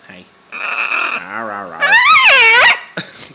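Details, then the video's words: A pet female macaw, Rachel, called Big Bird, gives a wavering, voice-like call, then a loud harsh squawk that swoops up and down while a person chats to her nearby; she is said to do funny laughs. "Macaw Talking, Parrot Talking"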